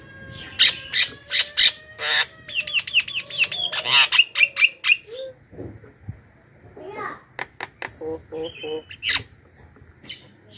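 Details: Javan myna lure recording meant to call in wild mynas, a rapid mix of harsh squawks, clicks and whistled notes in quick bursts, then scattered shorter screeches and rattling notes.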